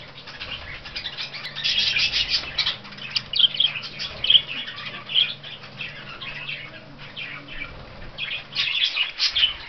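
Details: Budgerigars at a breeder's chatter in a busy flock, a steady stream of high scratchy warbles and sharp chirps overlapping throughout, with a soft low hum behind.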